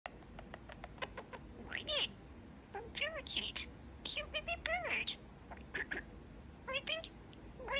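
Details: Male pet budgerigar chattering away: rapid dry clicks mixed with bursts of warbled, bending chirps and squeaky nasal phrases, separated by brief pauses, all fairly quiet with a faint steady background hiss.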